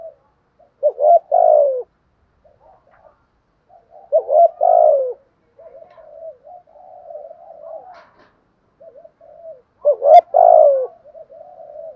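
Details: Spotted dove giving a patterned 'thúc gù' cooing sequence used to stir a captive bird into calling: three loud bursts of deep, throaty coos about every three seconds, linked by soft, murmuring low coos.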